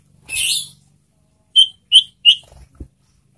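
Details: Caged golden-bellied gerygone (sirtu) kept as a songbird: a brief hissy burst, then three short high clear whistled notes in quick succession, about a third of a second apart, in a quiet room.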